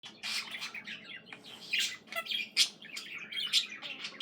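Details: Budgerigar song: a fairly soft, busy stream of high chirps, squeaks and short scratchy notes, with louder bright accents about every second and a faint hum beneath.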